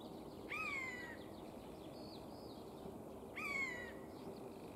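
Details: Eurasian jay singing, uttering two bright, downward-sliding mew notes roughly three seconds apart, with soft chirps of other birds in the background.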